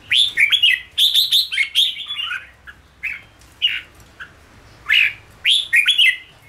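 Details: Red-whiskered bulbul ché song used for training birds to sing quickly and perform at café contests: a fast opening flurry of sharp, bright whistled notes, then shorter spaced chirps and slurred phrases.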